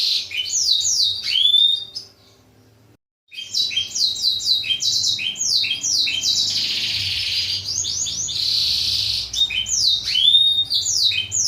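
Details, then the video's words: Black-throated canary song used as a model for training canaries to sing readily: fast runs of descending whistled sweeps and trills, high and bright, with a brief silent pause near two seconds, then dense buzzy rattles and repeated downslurred notes. "masteran kenari suara blacktroot agar cepet gacor"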